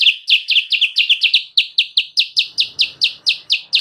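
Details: Sooty-headed bulbul, recording used as a lure for wild birds: a steady run of bright, sharp downslurred chirps, about four per second, continuing without a break; faint background hiss in the second half.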